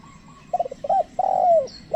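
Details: A decoy spotted dove is used to lure wild doves. A soft, stuttering run of low notes leads into a long, steady coo that falls away at the end. A new phrase begins as it closes.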